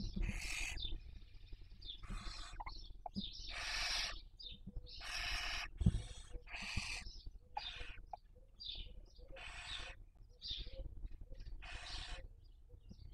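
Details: Barn owl at a nest webcam in Cabañeros National Park, Castilla-La Mancha, Spain, during the 2023 breeding season while raising young: long, harsh, broadband hissing screeches repeated about once a second, mixed with short higher twittering notes.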